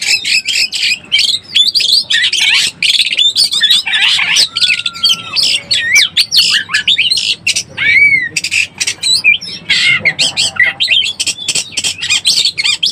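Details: Oriental magpie-robin recording meant to lure birds in breeding condition: a long, busy run of rasping chirps, clicks and sweet whistles, with a clear drawn-out whistle midway and several rising slurred notes, delivered almost without pause.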